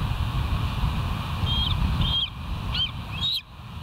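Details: Bald eagles at the West End nest, live camera, 13 July 2023: thin high whistled notes, first two drawn out and level, then two quicker rising squeals, over a constant low background rumble.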